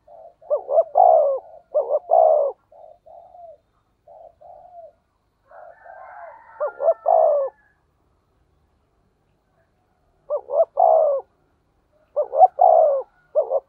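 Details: Spotted dove calling in the 'thổ sấm' thunder-voice style as a lure to excite other doves: repeated deep coo phrases of short notes and drawn endings, mixed with softer brief coos, pauses between bursts.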